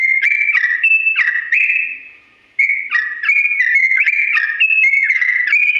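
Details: Yellow-vented bulbul singing a long, slow rolling song for birds to copy: clear stepped whistles, a drawn-out note fading away, a short pause, then renewed rapid alternating whistles.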